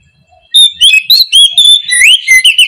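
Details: Morning song of an oriental magpie-robin in 'ngeplong' style: loud, clear whistled notes, some slurred upward and some falling, delivered in quick succession with brief gaps.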